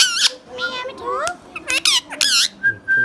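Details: Hand-tame green Indian ringneck parakeet kept as a pet and talking indoors: stacked harmonic squawky syllables, a few sharp broadband clicks, and short wavering notes ending in a steady thin whistle.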